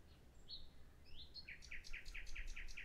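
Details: Common nightingale opening with two drawn-out whistles, one rising, then breaking into a rapid, regular run of about seven loud chirped notes at a steady pace, over low rumbling background noise.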